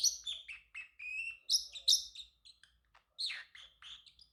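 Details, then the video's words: Chattering male Pacific parrotlet kept as a pet: varied high chirps and short flat whistles in quick succession, a few sharp loud squeaks, a short pause, then softer rasping chirps. "Parrotlet Talking ✨️ Cute Funny Sounds"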